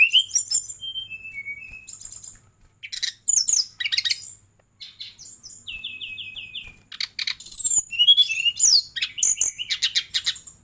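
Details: Song of a Bali brown-chested jungle flycatcher: whistled notes dropping in pitch, scratchy high bursts, a stuttered run of even repeated whistles, then a busy stretch of quick sharp chirps and buzzes.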